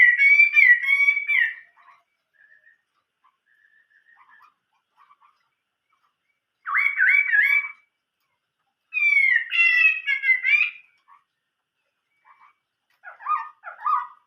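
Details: Chinese hwamei song in the 'old forest voice' style, given as separated bursts of rich whistled and warbled phrases with soft quiet notes between them.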